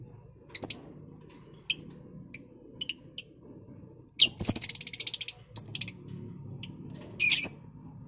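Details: Lovebird singing, recorded March 2021: scattered sharp high chirps, then a fast buzzy run of rapid repeated notes lasting about a second, ending with a harsh chattering burst over faint low room hum.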